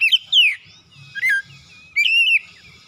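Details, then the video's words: Morning lure song of a kacer, the oriental magpie-robin, in full persistent voice with its repertoire: three separate bursts of sharp, sweeping whistles, each slurring downward, parted by short pauses over a soft background hum. "PANCINGAN PAGI KACER SUSAH BUNYI LANGSUNG GACOR NGOTOT BONGKAR ISIAN"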